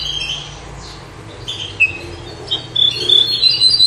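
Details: Bouh bird singing as a tutor for goldfinches, completing a widania phrase. Scattered high chirps and a squeaky note open, then a quick run of thin, piercing twitters builds toward the end against a faint room hum.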